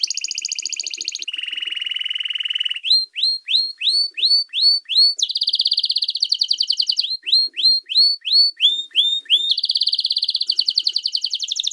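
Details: Atlantic canary singing a special song used for teaching and training young birds: loud clear tours, a buzzy trill, a low rolling trill, then rapid repeated upward-sweeping whistles alternating with fast high rattling trills.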